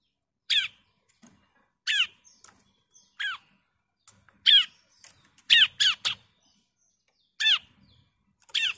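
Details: Female bar-winged prinia calling to the male, giving single sharp downslurred notes spaced one to two seconds apart, some doubled, in an otherwise quiet background.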